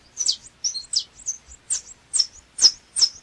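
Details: Saffron finch, known locally as canário chapinha or canário-da-terra, singing: a string of short, sharp, high chirped notes, some sliding downward, spaced unevenly about every third of a second.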